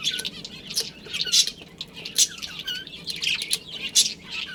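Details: Budgerigars in a colony with a breeding pair: dense, overlapping high chirps and scratchy warbles in short bursts, several birds calling at once with hardly a pause.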